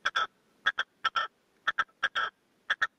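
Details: Caged male red-legged partridge used as a decoy calls to wild partridges with loud rasping paired and tripled notes, the last of each group drawn out, in quick repeated phrases.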